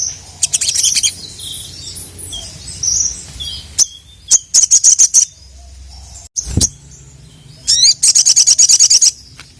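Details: Ruby-cheeked sunbird, or sogon, challenging opponents: scattered high twitters, then quick rattling series of sharp chips around five and eight seconds in, with a dull thump midway.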